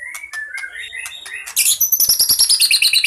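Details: Fighting white-rumped shama singing a song rich in fill-in phrases, used for luring birds: a few mid-pitched whistled notes, then a loud run of fast, high, repeated twittering notes at about three per second.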